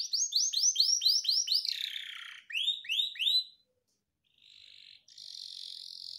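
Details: Tutor song for caged canaries, cengkok unik style of long duration: a rapid run of high swooping notes, a buzzy descending slur, three more rising whistles, a short silence, then two thin high trills.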